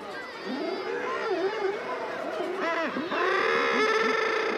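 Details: Common murre (Uria aalge) colony: a dense din of overlapping harsh, rising-and-falling guillemot calls, with wingbeats and footsteps of arriving birds and possibly kittiwakes and razorbills mixed in; Common murre.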